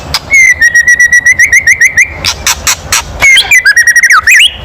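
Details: White-rumped shama giving a loud kretekan call meant to provoke other birds into singing: a fast run of harsh, ticking notes on one pitch, then a burst of rasping noise and rising, twisting whistles.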